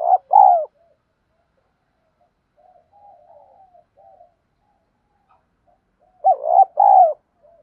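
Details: Spotted dove cooing in the giọng thổ đồng style, used as a decoy to stimulate new birds to coo. Two loud, throaty two-part phrases about six seconds apart, separated by quiet, low, murmured cooing.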